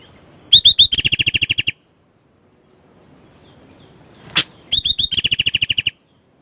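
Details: ['Energetic sooty-headed bulbul (kutilang) song rich in varied phrases: two phrases, each a couple of bright high notes running into a rapid chattering series of pulses, plus one short sharp click-like note between them in quiet surroundings.']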